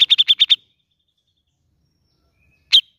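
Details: Grey-cheeked bulbul lure for a bird reluctant to sing. Six fast, bright chirps come in half a second, followed by silence and one more sharp chirp.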